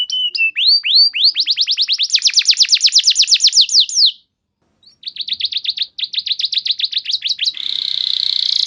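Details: Training lure song of a canary in the long-firing 'nembak panjang' style: fast series of sweeping whistled notes building into a bright trill, a short pause, another rapid trill, ending in a buzzy rattle.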